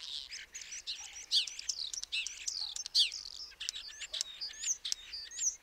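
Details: Common starling (Sturnus vulgaris) giving a continuous wheezy, crackling chatter full of rising and falling whistled slurs. Scattered sharp clicks and thin squeaks run throughout in a dense, unbroken stream.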